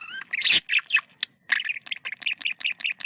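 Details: Budgerigar communication call: a rising whistled note, a loud harsh squawk, then a rapid run of bright, buzzy chirps repeated about every quarter second.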